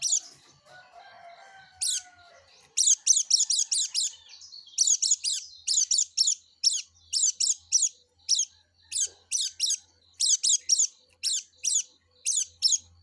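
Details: Yellow-breasted white-eye repeating sharp, harsh high chips in steady bursts, often doubled or tripled, roughly two to three per second, after a soft opening warble.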